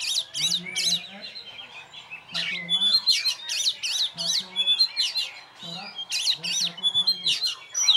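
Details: Singing alone in its cage, a champion oriental magpie-robin gives rapid looping whistles and sharp high notes in dense bursts, while low murmuring voices come and go underneath.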